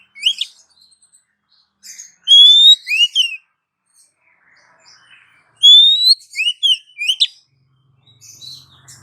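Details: Female Oriental magpie-robin calling the male, a lure sound: two phrases, each a long, loud, rising whistle followed by short swooping notes, separated by a few seconds of quiet with faint soft chirps.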